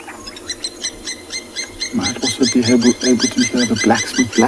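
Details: Blacksmith lapwings calling while flying around, wild in South African bush: a rapid run of sharp, metallic clinking notes, about three per second, growing louder and denser after two seconds, with faint background noise.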